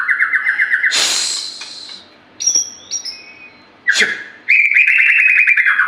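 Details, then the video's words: White-rumped shama song used as a prompt: fast trilled whistles repeated about twice a second, broken by harsh noisy bursts, a thin high whistle, and a closing rapid rattling trill. "PANCINGAN SUARA BURUNG MUARAI BATU GACOR"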